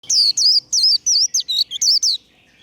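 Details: Warbling white-eye singing the líu đấu competition trill: eight rapid, high whistled notes, each sliding down and up in a wavy twist, closely spaced over two seconds, then quiet.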